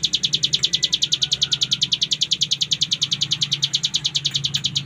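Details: Bar-winged Prinia (cigun) delivering nonstop full ngebren, a rapid, regular chain of high, rasping pulses, roughly eight per second, over a soft low rumble.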